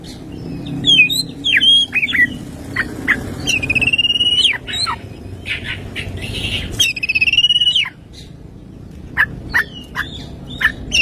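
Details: Oriental magpie-robin (kacer) in full morning song with 'tembakan kristal' fill-ins: rapid, varied whistled phrases, sharp ticking clicks and several long, high, trilled whistles that end in falling slurs, with brief scratchy bursts between.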